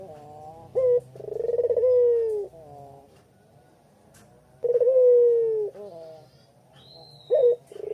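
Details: Spotted dove of the puter pelung kind, afternoon in Kuta, Bali, calling to lure other doves: two full phrases, each a brief coo, a burred rolling note and a drawn-out downward coo, with a thin high whistle from another bird near the end.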